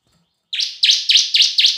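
A bar-winged prinia gives five loud, sharp, buzzy chip notes in quick succession, about four per second, high-pitched and even. Nothing else is heard.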